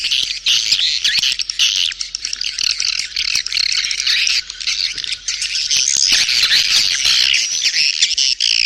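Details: Birahi beranak, a swiftlet mating call: a thick wall of high, shrill twittering and buzzing chirps from a crowd of birds, unbroken and fairly even in loudness.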